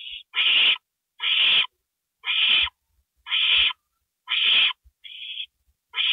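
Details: Owl recorded at 2:05 AM on April 27, 2012, while a gopher is delivered; evenly spaced hoarse screeches about once a second, with one thinner rasp between them and occasional low taps.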